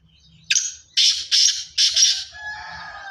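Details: Black francolin of pure Sindhi strain calling: a harsh, grating phrase of four loud buzzy bursts, a short first note, then three longer rasping notes about half a second apart, followed by a fainter tonal trailing sound.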